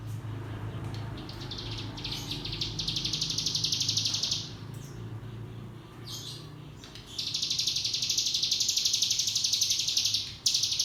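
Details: Training lure of Javan white-eye (cigun) song in the 'ngebrem' style for young birds: two long bursts of high, fast, rattling trill separated by a few seconds of quieter chirps.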